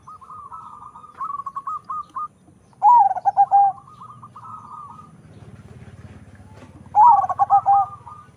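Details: Zebra dove, a cross of local and Bangkok strains bred for a big voice, giving loud cooing phrases: a bright opening note, then a quick run of short throbbing coos. Softer repeated coo trills from other doves fill the gaps.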